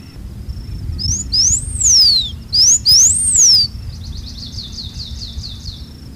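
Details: Blue Finch (Porphyrospiza caerulescens), a Brazilian Cerrado grassland species, sings two very high, thin, arching whistled phrases, then a fainter run of quick down-slurred notes, over a steady high insect-like drone.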